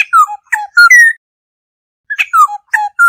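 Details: Black-hooded oriole flock call used as a lure. Two rapid phrases of strong fluty notes, each falling in pitch before a final rising whistle, separated by a brief silence.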